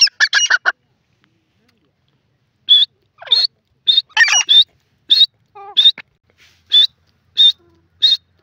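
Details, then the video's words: Francolin giving a series of harsh, high calls: an opening burst of rough notes, a pause, then sharp notes repeated roughly every half second to second, some with lower descending tones mixed in. "the best teetar best awaaz"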